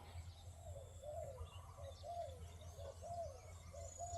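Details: Captive decoy spotted dove calling to lure wild doves for trapping. Soft, low, slightly rising-then-falling coos repeat about once a second, faint over a steady low engine-like hum.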